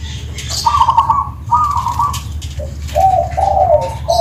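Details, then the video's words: Zebra dove (perkutut) from Tuban singing in the kristal style: rolling, trilled coos in two sustained bursts, then lower, warbling phrases near the end, with faint high chirps of other birds behind. "Suara Kristal,perkutut Tuban"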